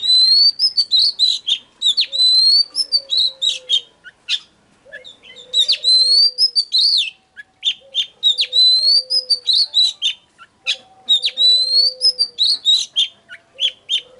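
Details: Oriental magpie-robin singing to lure other birds: repeated bursts of whistled and chattering phrases about every two to three seconds, with a softer low whistle from another bird beneath.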